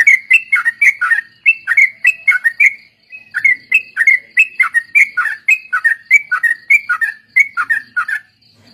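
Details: Trucuk, the sooty-headed bulbul, singing a lure recording in ombyokan and ropel style for training birds: fast, nearly continuous run of bright, slurred whistled notes with one short break, over faint high ticking.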